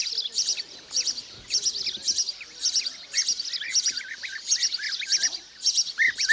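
Blue-cheeked Bee-eaters give rolling, liquid trilled notes, repeated in quick bursts over a steady high-pitched pulsing background.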